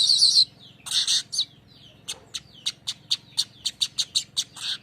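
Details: Streaked weaver 'besetan ngerol' lure song: a short harsh sizzle, then a few buzzy bursts and a run of thin, sharp chips that repeat faster and faster, about four per second.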